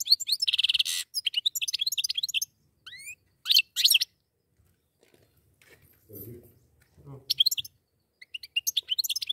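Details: A pair of goldfinches in lively song: dense bursts of high twittering and buzzy trills, rising whistled slurs, brief pauses, a short patch of low human speech in the middle, then more rapid chirping.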